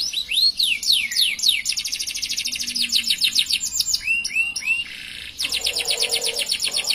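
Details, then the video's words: Canary delivering an extended song, beginning with rising swept notes, moving into rapid trills and curved whistles, and ending with a buzzy rolled section. "Suara Burung Kenari Gacor Panjang cengkok mewah"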